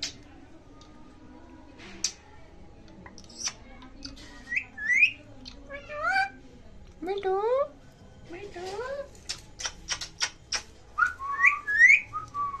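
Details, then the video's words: Pet Indian ringneck parakeets talking to each other in Hindi: squeaky, speech-like phrases and sharp whistles with swooping, bending notes, most dense from about four seconds on, over a faint indoor hum. "Adorably Talking Ringneck Parrot With Each Other In Hindi"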